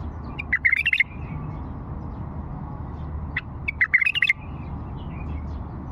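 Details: Two lively warbled phrases, about three seconds apart, come from an old bulbul from Fao. Each is a rapid string of clear notes, with a single short note just before the second, over a low constant hum.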